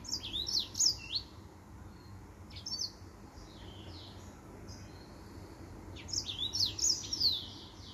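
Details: High twittering song from a male finch: a burst of quick, sharp, rising and falling chirps, a few scattered notes, then a second lively burst near six seconds.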